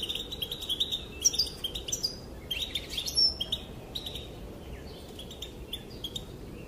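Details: Female European goldfinch calling, said to make males dance; lively chirping bursts early, fading into sparser, softer twittering notes later, steady faint hiss behind.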